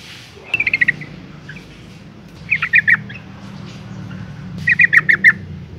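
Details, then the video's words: Female yellow-vented bulbul call aimed at rousing males: three clusters of sharp, staccato chirps about two seconds apart, over steady low background noise. "suara panggilan burung trucuk betina gacor ngalas tercepat mancing emosi trucukan jantan agar bunyi"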